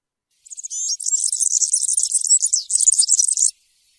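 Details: Field-style ('campero') song of a European serin: a few sharp introductory chips, then a hurried, sizzling jingle of very high notes running for about two and a half seconds before stopping.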